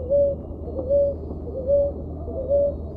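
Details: Ruddy ground dove (Columbina talpacoti) cooing: four soft, short, even-pitched notes, roughly one every 0.8 seconds, with a faint steady hum beneath.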